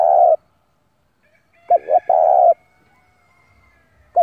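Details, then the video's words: Spotted dove, a captive decoy bird cooing to lure wild rivals in to fight: a long hollow coo, then a phrase of two short notes and a drawn-out coo, another note starting at the end. "tiếng chim cu gáy gọi bổi về cội để đấu của con chim cu gáy mồi giọng gáy hay cực chuẩn kích bổi"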